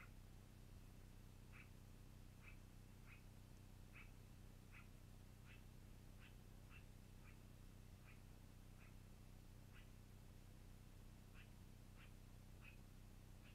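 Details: Nest of a long-eared owl, April 2018 evening: about seventeen brief, sharp squeaks repeated roughly every two-thirds of a second in a fairly even series, over a persistent low mechanical hum.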